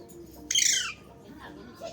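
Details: Alexandrine parakeet giving one loud, harsh screech of about half a second that starts high and slides downward, over a quiet background hum.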